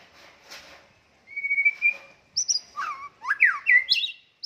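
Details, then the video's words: White-rumped shama from a prize-winning lineage, singing actively: faint chatter first, then a long steady whistle, followed by loud, swooping, slurred whistled phrases that rise and fall in quick succession. "SUARA BURUNG MURAI BATU GACOR"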